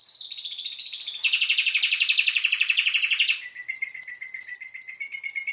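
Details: Timbrado canary song used for training canaries: a high trill, then a dense, lower churring roll, then a bright two-pitched rapid trill that rises slightly near the end, all delivered without pause.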